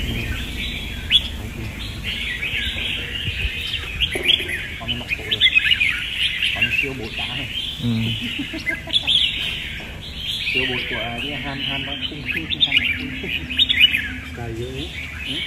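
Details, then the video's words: Several red-whiskered bulbuls compete in a singing contest dated 15/12, pouring out overlapping chirpy, warbling phrases in a continuous bright wash, while men talk intermittently in the background. "Chào mào đấu hót hay"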